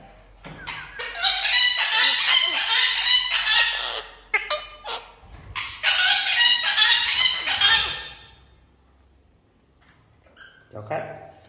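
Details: Pet red-breasted parakeet that talks and is taught to greet guests; loud, harsh, raucous squawks pour out in two long rapid bursts of about three seconds each, followed by near silence and one short final squawk.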